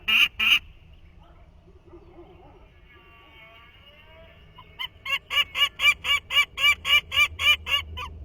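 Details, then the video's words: Nestling Peregrine Falcon at its 2023 nest copying the adult male's call for the first time: two harsh notes, a quiet pause with faint murmuring, then a fast even series of rasping notes, about four per second. "el pollo imita por primera vez el grito de reclamo de su padre, escuchado también por primera vez pocos días antes."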